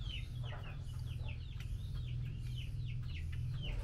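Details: A female Chinese hwamei calls the male during mealworm feeding, giving a quick series of downward-slurred notes, some paired and some single, over constant low-pitched background hum.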